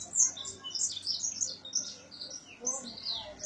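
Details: Early morning bird song near Gondar, Ethiopia, heard from a residence veranda in 2017, signalling time to wake: rapid high thin chirps and twitters in a continuous jumble, several notes overlapping, with faint low hum beneath.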